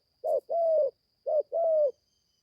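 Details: Spotted dove, young and newly calling, first time taken to the forest for training; two low paired coos, a short note then a longer level note, before silence, with a faint high hum underneath.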